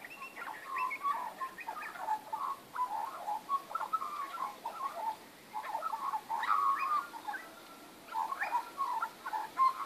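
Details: Several magpies singing in a backyard, 19 April 2014: continuous gurgling warble of overlapping liquid notes, with a few brief gaps and occasional higher, clearer whistles.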